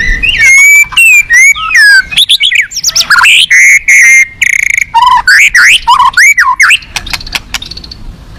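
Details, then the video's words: White-rumped shama in a cage at a singing contest, pouring out a rich, varied song: looping whistles, swooping slurred notes and rapid chattering bursts with hardly a pause, ending in dry ticking clicks. "siapa di gantang burung ganas full isian mewah"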